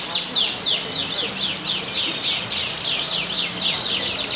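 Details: A yellow canary competing at a Yogyakarta songbird contest pours out quick, regular, high swooping notes, about four per second, bright and loud over faint background chatter.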